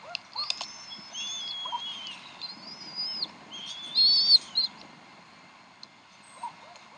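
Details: Bald eagles at the Decorah nest at 7:50 pm, the mother feeding three eaglets in the evening. Thin, high whistled squeals and slurred piping notes come in short bursts, with a louder quavering squeal near the middle and faint low rustling throughout.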